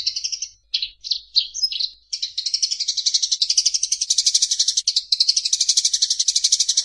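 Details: Fighting Eurasian tree sparrows: a few choppy, squeaky chirps lead into a continuous, very rapid harsh chatter that runs for nearly five seconds.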